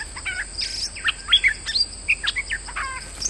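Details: Bulbul singing as a trapping lure while moulting: a brisk string of varied chirps, short slurred whistles and a couple of rattling trills, closely packed, over a steady high electronic whine.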